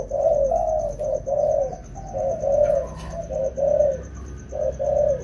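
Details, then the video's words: Wild-caught spotted doves in training during rainy weather, giving repeated low, burry coos in short phrases about one per second, with a constant faint high-pitched tone behind. "Dợt 2 con bổi mùa mưa"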